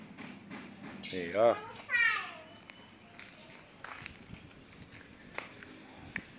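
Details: A tame, genuine yellow-eyed Javan myna, described as able to talk, gives two harsh, speech-like calls about a second apart: the first a falling nasal slur, the second a raspy rising phrase, followed by faint background noises.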